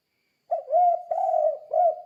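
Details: Spotted dove coos in the 'kuk 2' style used for training other doves. A short stretch of smooth, mellow hooting: one rounded note, a long sustained coo, then another rounded note, all at steady mid pitch.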